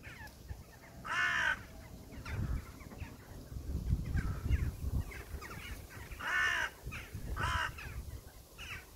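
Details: Crows calling outdoors: three hoarse, grating caws, one early and two close together near the end, over a steady low rumble and scattered softer calls.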